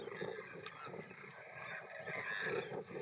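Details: A huge flock of Demoiselle Cranes, thousands of birds flying, walking and feeding in a field in India, makes a dense rolling chorus of overlapping croaking calls, with brighter rattling notes swelling near the end.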